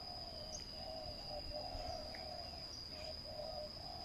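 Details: Spotted dove giving low, soft coos in short repeated phrases at a ground trapping site. A high insect drone continues throughout, with a few faint chirps from other birds.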